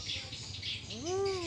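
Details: Talking common hill myna from Indonesia copies human speech with one short arched, vowel-like utterance, rich in harmonics, rising then falling away, against constant hiss and a faint low hum.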